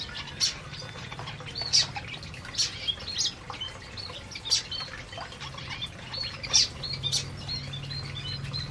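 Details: Several canaries feeding in an aviary give scattered short, high chirps and tweets at irregular intervals. Steady low hum and faint rustling sit underneath.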